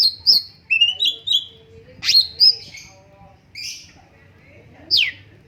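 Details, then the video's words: Straw-headed bulbul producing a short run of rising chirps, a loud downward-swept whistle, and scattered sharp notes with quiet gaps. "BURUNG CUNGKOK MASTER SUARA BAGUS"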